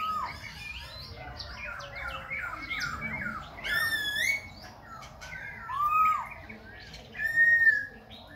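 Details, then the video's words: Khe Sanh laughingthrush singing while dancing, changing voice without pause: clear slurred whistles, some rising sharply, in loud bursts about every two seconds between softer chattering notes. "Khướu Khe Sanh hót múa đảo giọng liên tục"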